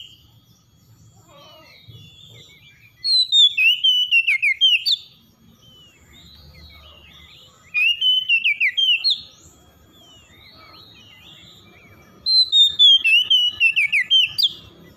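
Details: Oriental magpie-robin morning song, used to help stressed birds recover: three bursts of loud, sweeping whistled phrases with rapid pulsed notes, each lasting about two seconds, separated by quiet pauses with faint low background rumble.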